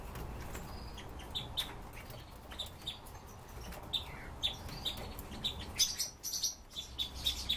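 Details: Red-billed leiothrix kept in captivity by its owner, giving short high chipping notes, scattered at first and then coming in quicker runs, over a steady low hum with frequent sharp clicks and rustling.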